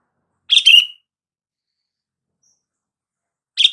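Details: Bulbul call for triggering silent sooty-headed bulbuls to reply: one quick bubbly phrase of chirps, a long silence, then another phrase starting at the end.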